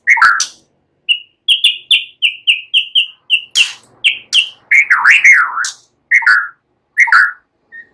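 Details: Relaxed song of a white-rumped shama with cililin and ciblek phrases: a steady string of short clear whistled notes at an even pace, then looping warbled whistles and slurred falling notes.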